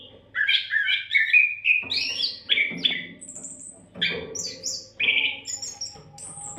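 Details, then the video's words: Oriental magpie-robin in continuous song used as training material for other songbirds: varied whistled phrases sliding up and down, interspersed with high thin notes and short harsh bursts, with a faint low hum underneath. "MASTERAN KACER GACOR TANPA JEDA COCOK BUAT SEMUA BURUNG KICAU"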